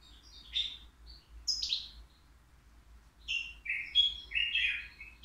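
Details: European goldfinch at a bird market, a three-year-old caged songbird, giving scattered liquid chirps and slurred twittering notes, quieter at first and then a livelier run of tinkling, descending phrases, low background hum.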